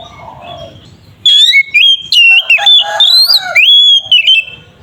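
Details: Ngeplong-style fighting song of an oriental magpie-robin (kacer), meant to agitate another bird into singing. After a quiet, faint opening, loud sliding whistles burst in, rising and falling in quick repeated phrases with brief pauses between them.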